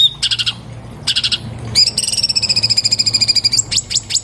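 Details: Orange-bellied leafbird song captured on an iPhone 7+ for training cage birds: short high rattled bursts followed by a long level buzzy trill of nearly two seconds and a few sharp descending notes.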